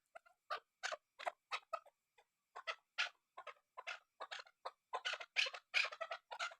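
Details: Female chukar partridge calling: a rapid series of short, harsh clucking notes, roughly three per second, some paired, growing louder and denser toward the end.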